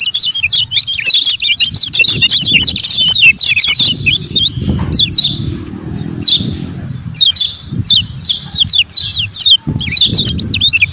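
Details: Lemon-bellied white-eye ciak ciak calls used to rouse reluctant singers: long flurry of high, sharp twitters, dense at first, then scattered chirp bursts, over a noisy low rumble throughout.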